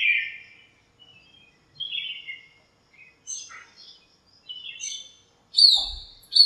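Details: Birds in a backyard lemon tree call on a cool sunny morning. Sparse, separate chirps and short twitters are spaced by silences, ending in a sharp high whistle and a low knock.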